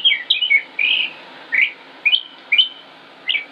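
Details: Male northern mockingbird in Concord, North Carolina, late May 2016, singing a run of short, varied chirps and slurred whistles at irregular intervals, each note different in shape, with a steady low background hum.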